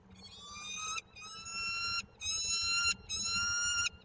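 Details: At a nest in Koszalin, Poland, on 15 March 2022, a peregrine falcon gives four long, loud, harsh wailing calls, each about a second, separated by brief pauses, over faint low rumble.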